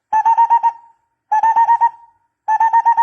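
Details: Barbet call used as a lure for catching birds: three bursts of rapid, hollow, evenly spaced notes at a steady mid pitch, each ending in a fading tail, with no other sounds.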